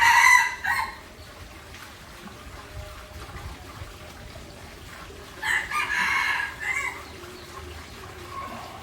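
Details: Junglefowl in Aceh: a crow cut off at the start, then after a quiet pause a full crow of several rough, stacked harmonic syllables, with faint hiss throughout.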